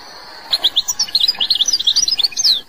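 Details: Algerian goldfinch pouring out a rapid, jumbled twitter of high chirps and slurred notes, ending in a buzzy drawn-out phrase, over faint background noise.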